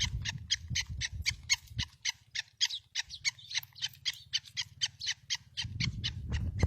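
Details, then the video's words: Black francolin near Khushab, calling in a fast train of grating, chirpy bursts roughly four per second, steady throughout, over a low droning hum and rumbling background noise at the start and end. "kala teeter ki awaz"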